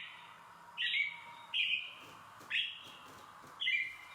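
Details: An American robin sings its "cheerily, cheer up" song, four clear, slurred caroling phrases about one per second over a faint hum, a baseline song announcing its presence and signalling that all is well.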